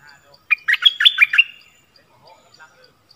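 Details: Decoy bulbul used to lure wild birds, recorded 16 March 2021: one quick burst of six or seven bright, chirpy, warbling notes lasting about a second, then quiet with a few faint soft notes.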